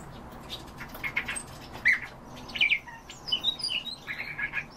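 A common starling sings a varied medley of squeaky whistles, clicks and rattling chatter, mostly high-pitched, with brief fluttery sounds between phrases.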